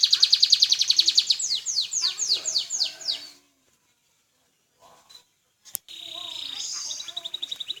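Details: Canary singing, a rapid run of repeated high trilled notes for about three seconds, then near silence with faint sounds, then a sustained high whistled phrase returning with quick repeated notes.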